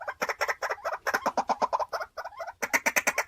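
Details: Rapid rasping croaks from a caged decoy white-breasted waterhen, about four per second. A brief pause is followed by louder, higher-pitched bursts.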